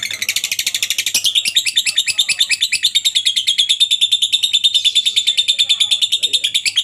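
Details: Long ngekek from a lovebird, kept as a master recording to teach other lovebirds: an unbroken, very fast, piercing chattering trill, evenly pulsed about three times per second, steady and shrill throughout.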